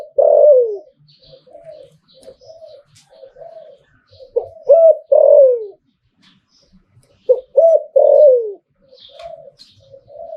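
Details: Spotted dove in the Thai liu-tan cooing style, owned but not for sale. Three full phrases of short hooked notes and long falling coos, joined by softer murmured coos at a steady pace.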